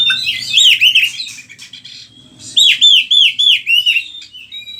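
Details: Oriental magpie-robin giving loud, lively song for tutoring other birds: a burst of bright downslurred whistles, a short quiet gap, then four or five clear ringing slurred notes in steady rhythm.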